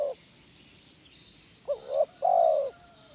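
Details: Spotted dove (tekukur) singing in the kuk 1 style, played to train other doves: the tail of one coo, then a short two-part hooting note followed by a long, level, mellow coo, with a faint high hiss behind.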